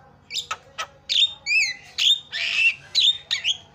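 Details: Javan myna master song for training mynas: scratchy clicks and harsh squawks alternating with clear, bending whistled notes and wheezy, noisy phrases in quick succession.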